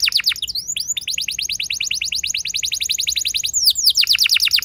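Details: Young canary singing a long rolling trill to draw song from other canaries: an unbroken run of fast, evenly repeated falling notes, about three per second per beat, bright and steady.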